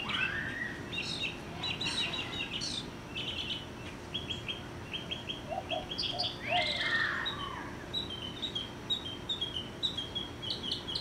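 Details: Mockingbird singing high in a tree about 50 yards away in a yard, a varied run of chirps, trills and whistled phrases changing every second or so, with a faint steady background hum.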